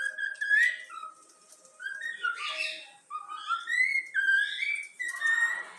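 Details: Trained pet cockatiel with yellow cheeks performing the Flamengo anthem tune: a run of melodic whistled notes stepping up and down, some with buzzy overtones, phrases separated by short silences, indoors.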